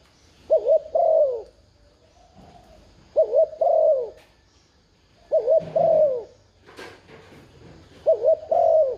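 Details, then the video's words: Spotted dove giving urging coos, used to prompt a freshly caught bird to call back: four repeated phrases about every 2.7 seconds, each a short wavering double note then a longer falling coo. A faint click is heard near the end. "Tiếng chim cu gáy thúc gù kích mồi mở lên bổi gáy liền"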